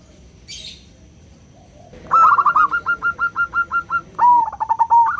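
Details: Local zebra dove used as a lure for other doves, loud 'crystal' voice: after a quiet start, about ten evenly spaced staccato notes, then a sharp rising note and a rolling trill of coos.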